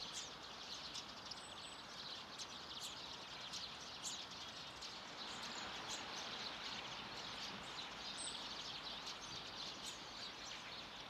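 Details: A flock of at least 100 common redpolls gathered at a bird feeding station in Haga on 3 March 2024 gives a dense, continuous high chatter of overlapping twittering calls, with brief sharper chips standing out over steady background noise.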